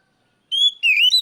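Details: Oriental magpie-robin giving a loud rival-calling cry: one steady clear whistle followed by a lower, slightly wavering whistle that rises at the end.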